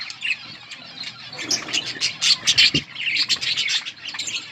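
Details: Budgerigars in a colony chirping: a dense, overlapping chatter of bright, high chirps and short squawks from many birds at once, rising and falling in loudness, with faint wing flutter.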